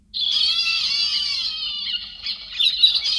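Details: Noise-cleaned héc xoan bird recording for drawing in flocks: a sudden, sustained raspy squawk rich in buzzy overtones, holding steady for nearly two seconds, then breaking into rougher, uneven pulses.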